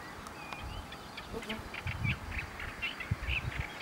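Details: A free Olive-tree warbler singing from a treetop in Turkey on 10 May 2013 gives a low, harsh, chattering phrase of rapid grating notes, several per second, over steady low wind rumble.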